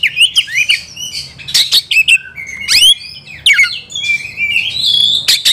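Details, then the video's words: Agitated white-rumped shama looking for a rival, singing hard: rich rapid medley of whistles, sweeping rising and falling notes, buzzy rasps and sharp chips, closing with a sustained high whistled phrase; little else audible. "EMOSI MELEDAK KEPANASAN || kacer gacor cari lawan tarung"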